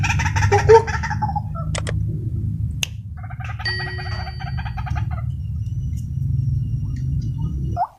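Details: Wild white-breasted waterhens agitated during trapping with a decoy; harsh repeated croaking, rapid pulsed bursts in series, with a strong low rumble of wind or handling noise throughout.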